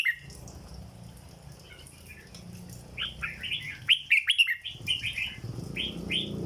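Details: Dok song from a caged red-whiskered bulbul: after a quiet opening with low background rumble, a lively run of rapid, slurred whistled notes builds up, with a sharp cluster of loud chirps mid-phrase.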